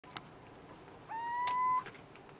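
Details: A little owl at Viñas de Trebujena on 20 February 2018 gives one drawn-out, slightly rising whistled hoot lasting under a second, with a couple of faint clicks and quiet background hiss.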